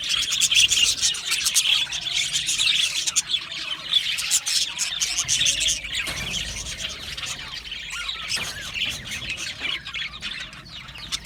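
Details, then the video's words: A long stretch of Australian budgies chirping: rapid, dense, high twitters and warbles that fade slightly toward the end. "Budgie singing and chirping sounds | Australian Budgie sounds"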